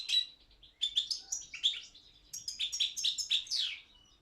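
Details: Goldfinch Carduelis carduelis balcanica in an online song championship from Serbia; separate clear chirps and short whistled notes at first, building to a quicker twittering run ending in a downward slur.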